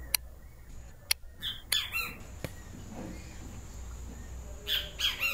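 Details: Great kiskadee with a yellow crest, three-note harsh call near the end after a shorter burst of calls, with sharp clicks and background hiss.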